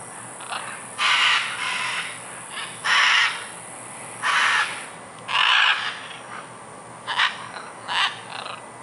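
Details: Scarlet macaws playing in trees at Tambor, Costa Rica, in February 2011, give about eight harsh, raucous squawks, each under a second, at irregular intervals over a steady background hiss.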